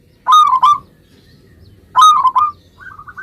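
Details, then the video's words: A local zebra dove in full song, used to make other zebra doves respond at once: two loud, rolling double coos over a second apart, followed by soft, quick notes trailing off. "suara perkutut lokal gacor ini ampuh menjadikan agar burung perkutut gacor nyaut seketika"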